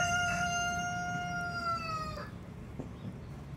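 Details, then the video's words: Chicken, a rooster, giving one long crow of about two seconds, a steady drawn-out tone falling slightly at the end, then quiet with a low background hum and faint rustling. "chickens in heat"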